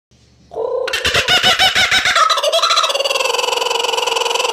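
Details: Laughing kookaburra (Dacelo novaeguineae), laugh.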